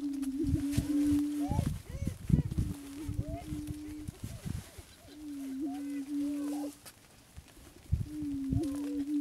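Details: Attwater's prairie chicken, a greater prairie chicken subspecies listed as endangered and found at three sites in Texas. A low hum comes and goes in long stretches, overlaid by many short arched cackles and dull thumping noises.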